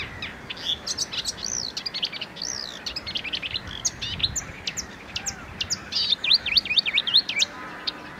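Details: Marsh Warbler, a small migratory songbird of wetlands and reeds, singing a fast, varied jumble of high chirps, trills and buzzy notes, with rapid slurred up-and-down whistles near the end.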